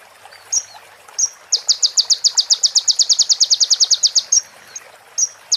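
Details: Sunbird training recording made to teach other birds, with high thin chips followed by a fast even trill of about twenty-five sharp notes lasting some three seconds, then more scattered chips.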